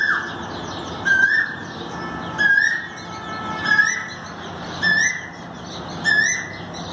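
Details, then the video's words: Repeated upward-sliding whistles from an Asian koel, recorded 5 May 2019, six notes spaced about every 1.3 seconds, accompanied by thin high-pitched chirps from other birds. "कोयल Cuckoo"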